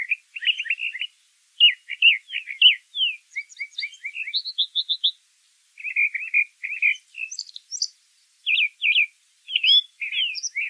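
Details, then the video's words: Brown thrasher singing outdoors: rapid clusters of repeated chirping notes, many phrases given twice or in short series, high and lively, with pauses between groups. "Birds Singing - Brown Thrasher"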